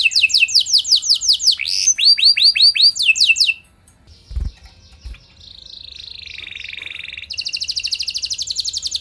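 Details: Canary singing to prompt other canaries into song: rapid sweeping slurred notes in quick series, a short gap with a low thump, then soft buzzy trills building into a bright rolling trill.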